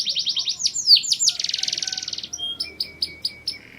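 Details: Mating song of a canary, opening with fast high trills and swooping downslurs, then a rolling buzzy trill, ending in spaced sharp chips.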